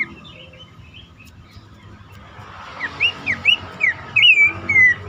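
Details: Pelanduk semak call used to coax silent or stressed caged birds to sing: after a quiet start, a burst of bright, curving whistles, each sliding up or down, closes with a longer drawn-out falling whistle.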